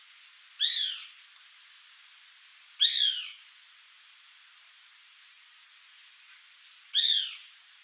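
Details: White woodpecker, known in Brazil as pica-pau-branco, birro or cri-cri, giving loud harsh rattling squawks with descending harmonics, three strong bursts about two to four seconds apart plus a faint short note.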